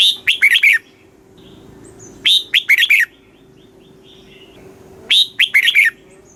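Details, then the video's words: Red-whiskered bulbul song, played to provoke and excite other bulbuls or teach young birds, giving three bright, bubbly phrases of quick chirpy notes, each about half a second, spaced roughly every two and a half seconds, over a steady low hum. "เสียงนกกรงหัวจุก ร้อง ริก"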